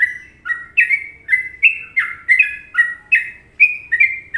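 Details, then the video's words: Sooty-headed bulbul (trucuk) song from an Indonesian masteran recording, in the popular Trucukan rhythm: short, clear whistled notes that alternate between rising and falling, about two per second, in an even run with no other sounds. "Masteran Trucuk Indonesia"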